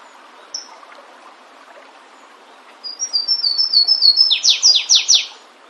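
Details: In natural surroundings, a flavescent warbler delivers an accelerating string of thin high whistled notes ending with four loud down-slurred sweeps, preceded by a lone short note.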